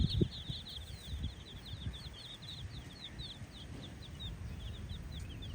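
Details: Multicoloured baby chicks exploring a hollowed-out space, peeping in a steady stream of thin, high, short chirps, many overlapping, over a constant low rumbling background noise.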